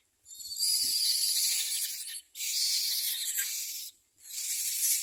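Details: Common myna chicks at the nest begging as their mother feeds them: three long, harsh, hissing rasps, each lasting over a second, separated by brief silences.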